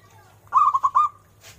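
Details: Zebra dove, a local bird with a big rolling voice, gives a fast run of four warbling coo notes that trail into a soft sustained tone; a faint rustle follows over low hum.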